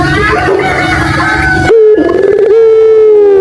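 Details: Ringneck dove (puter) used to coax non-calling doves into answering: after a noisy start, a brief rising note, a quick wobble, then a long flat coo gently falling away.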